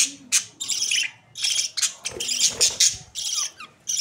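Budgerigar chicks give harsh, raspy high chirps in quick irregular bursts, several voices overlapping with short gaps between outbursts.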